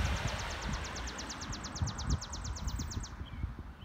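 A sparrow sings a fast, high trill of about twenty quick down-slurred notes over three seconds, with heavy wind rumble underneath.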